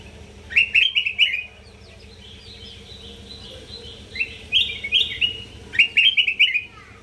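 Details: Sooty-headed bulbul from North Sumatra in full song, recorded as a master for training birds: clusters of rapid whistled notes, a quiet gap of about two seconds, then further bright phrases, with sharp clicks and a steady low hum beneath.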